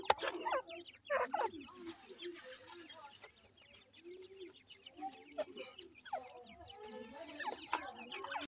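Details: Baby Grey francolins feeding: dense overlapping high chirps and peeps that fall in pitch, scattered clicks and occasional low clucking sounds, with busy bursts at the start and end.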